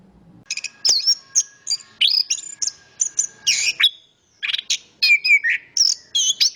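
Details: Chestnut-capped thrush song of bright, fast-changing whistles and chirps, loud and high, broken into short bursts with a short gap midway, over a faint steady background hum.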